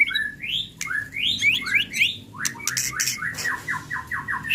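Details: Murai batu, the white-rumped shama of the 'pastol' type, in an unrepeated lure song: quick rising slurred whistles, harsh broadband bursts, then a descending series of rhythmic buzzy notes.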